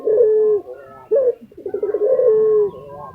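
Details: Lutino Barbary dove, a popular kept bird in Indonesia, cooing loudly: a rolling low coo followed by a long steady drawn-out note, repeated twice, with a short rising coo between.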